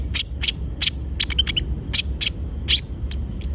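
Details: Lively Javan white-eye (konin) song used as a lure for captive birds: bright, high, clipped chips given singly and in rapid bursts, some slightly rising, over a low background hum.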